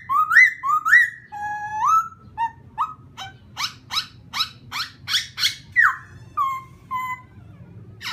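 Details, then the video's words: Laughingthrush song meant to provoke another bird: rising slurred whistles, then a fast series of sharp, explosive chip-like notes about every third of a second, ending in falling whistles. "khướu kích bổi"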